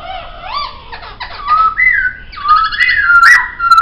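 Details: Singing Poksay used as a training sound for songbirds: arched whistles and a stuttering rattle, followed by long clear whistles that rise and hold level, ending with a sharp high note.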